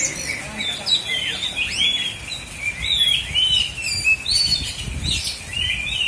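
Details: Energetic song from an Oriental magpie-robin in Aceh Selatan, Indonesia: bright whistled phrases with sharp downward sweeps and rising slurs, repeated in lively bursts, with soft thumps beneath.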